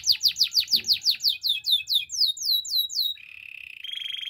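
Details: Canary in full song for training others: about a dozen loud, evenly spaced down-slurred whistled notes that speed up and soften, then a low continuous buzzy roll and a second slightly higher roll.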